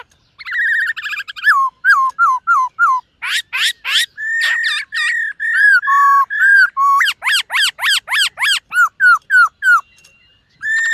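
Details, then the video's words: Morning song practice by a white-cheeked laughingthrush, a kept songbird: a fast varied series of loud whistled and slurred notes, some sharp down-swept phrases repeated in quick runs, others drawn-out, about three notes per second. "Khướu BẠC MÁ hót MÚA luyện giọng . Khướu hót sáng luyện giọng kích bổi"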